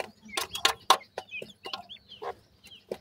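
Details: Grey francolin chicks giving short high peeps and slurred chirps, several overlapping, mixed with sharp broadband clicks and taps; a low steady hum runs underneath.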